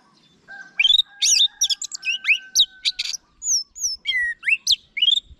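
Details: Orange-headed thrush in a rich, varied song: a long steady whistle underlying rapid twittering notes, then looping slurred whistles, high thin trills and rising phrases crowded closely together.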